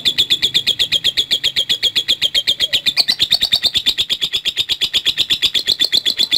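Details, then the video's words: Caged-style lovebird ngekek, a long continuous trill of rapid, sharp, high pulses running without a break for over six seconds, slightly rising after the midpoint; faint low background hum. "Love Bird Langsung Ngekek | Latah Dan Ngekek Panjang"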